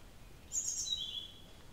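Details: A single call of a blue-throated flycatcher, recorded with no background noise: a bright high-pitched note sliding down into a lower, drawn-out note, over a quiet background.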